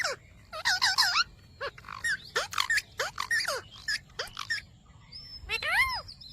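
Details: Ringneck parrot talking, saying "Mitthu Mitthu": bursts of harsh, voiced, speech-like syllables with bending tones, loose clusters across six seconds, ending in a clearer drawn-out rising-falling phrase; faint thin chirps in the background.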